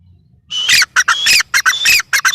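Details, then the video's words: Grey francolin, called teetar, bursting into loud, harsh calls after half a second of silence, with a long whistled note followed by choppy squawks. "gray francolin teetar sound"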